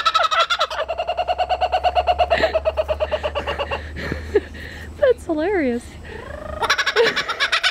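A laughing kookaburra gives rapid, throaty chuckling bursts that rise and fall, then wavering rolling notes before a final loud cackle.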